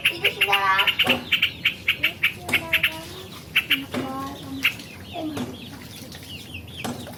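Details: Yellow-vented bulbul in a training recording: a rapid burst of bright chirps and short bubbling phrases, then sparser fluty notes fading into background hiss.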